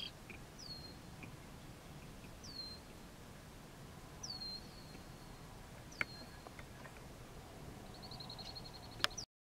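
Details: Short-billed dowitchers north of Nokomis, Saskatchewan, on June 25, 2019, at 10:50 a.m., giving clear, high, downslurred whistled notes about every two seconds, then a quick rapid series at the end, over steady low wind noise.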